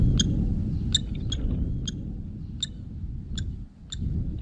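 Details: A common kestrel pair (Falco tinnunculus) calls to each other in mid-February courtship at their chosen nest, with food passes, trading short, sharp, high calls, several spaced notes in under five seconds, over a low rumble.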